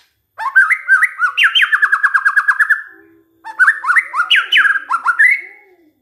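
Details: White-rumped shama lure song to set other shamas singing: rich rising whistles leading into a fast run of evenly repeated notes, then a second varied phrase after a pause; faint low hum beneath.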